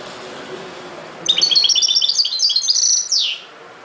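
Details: Ghoroub-style song of a European goldfinch, opening quietly, then a fast run of liquid, high twittering notes ending in a short downward-sweeping buzz.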